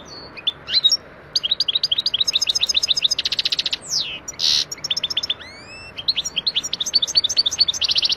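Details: A wild goldfinch in Algeria sings a varied, tinkling song of rapid high chirps, with buzzy trilled passages, sweeping slurred whistles and quick twitters, and the background noise edited out.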